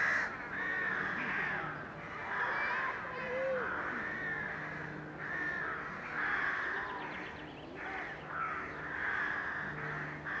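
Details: Crowded crow colony recorded in May 2020 while mallard ducks wash: a dense, continuous din of overlapping caws and harsh croaks, with calls rising and falling in waves and steady rustling and splashing underneath.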